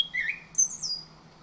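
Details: Lure song of an orange-headed thrush for prompting a bird to sing in the morning. A short high whistle and a brief slurred warble are followed by a piercing, very high drawn-out whistle that fades away.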